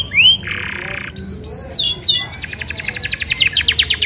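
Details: Isabel canary singing long rolling song meant as a lure to get other canaries singing: a rising whistle, a buzzy rattle, clear high notes, then a fast run of repeated chirps, about eight per second.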